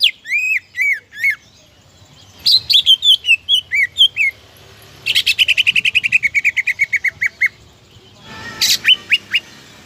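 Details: Greater green leafbird singing to provoke rivals into song: rich descending whistled phrases, then a long rapid series of evenly spaced sliding notes, closing with a harsh burst and more whistles.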